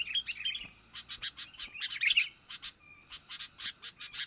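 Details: Sooty-headed bulbul, young, luring wild birds: bubbly chirped phrases mixed with a fast regular train of sharp clicking notes, about four per second, over a faint steady tone.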